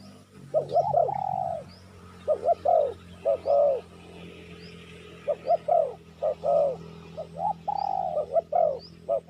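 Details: Spotted dove calls on a recording played to draw in wild doves: groups of low coos, some rising and falling, some long and swelling. Faint high chirps from other birds and a low background drone accompany them.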